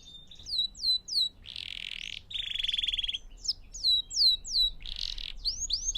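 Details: Canary song, presented as pure singing for training young birds and teaching new songs: rapid repeated descending whistled notes alternating with dense buzzy rolls and a steady trilled tour, in a clean, quiet recording.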